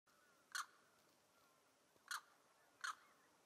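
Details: Neotropic cormorant giving three short, harsh, rasping croaks, spaced irregularly over about three seconds against a quiet background.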